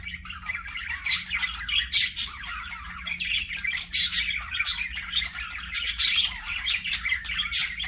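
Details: Budgerigars chattering nonstop: rasping, buzzy warbles and bright chirps in uneven bursts throughout.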